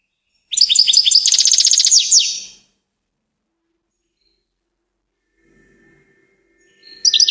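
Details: Fast, tinkling goldfinch song: a two-second run of jingling chirps and a quick trill, then a long quiet gap before another phrase begins at the very end.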